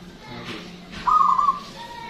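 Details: Zebra dove, local type, a loud long singer used as a lure: one brief phrase of quick, beaded cooing notes, with faint background noise.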